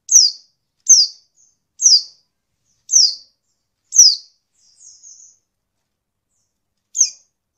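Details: Female Oriental white-eye calling to stir males into song; a run of five sharp, high descending tseeps roughly one per second, then a faint softer twitter and one final note after a pause, with no other sounds.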